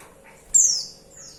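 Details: Female white-eye call directed at the male, one piercing high whistle sliding steeply downward, then a faint softer high trailing note.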